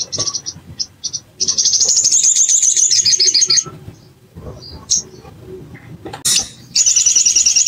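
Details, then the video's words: Bar-winged prinia, sound used to provoke singing: a few short high chips lead into a long, loud, rapidly pulsed buzzy trill for two seconds, then scattered chips, and a further trill at the close. "PANCINGAN EMOSI SOGON BAHAN AMPUH BIKIN CEPAT BUKA PARUH"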